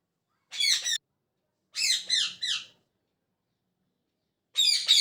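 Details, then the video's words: Parrot calling in the morning with harsh harmonic squawks, a short pair, then a run of three linked notes, and another burst after a long pause. "Parrot Chirping At Morning | Parrot Sound"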